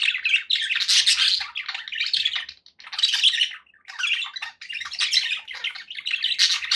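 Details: Budgerigars kept as pets calling in a near-continuous stream of buzzy, scratchy warbles and squeaky chirps, several birds overlapping with only two brief lulls.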